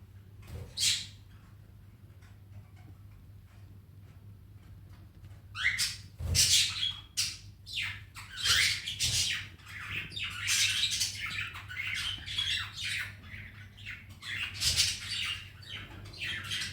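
A young cockatiel gives harsh, raspy squawks in quick, uneven bursts over a low electrical hum.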